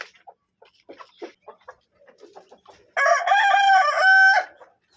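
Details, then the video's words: Kadaknath rooster crowing once: a long, loud, harmonic crow lasting about one and a half seconds, preceded by soft scattered clucks and faint chatter. "Counting the crowing"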